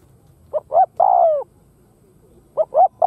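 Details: Spotted dove used as a lure bird to draw wild doves, giving a cooing phrase: two short rising hoots and then a longer drawn-out coo, with the pattern starting again at the end.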